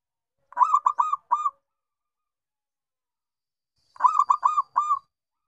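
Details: Zebra dove of local type (perkutut lokal) giving bungkak/gacor song: two phrases about three seconds apart, each four rolling, slightly burry coos with a pause before the last note; otherwise quiet.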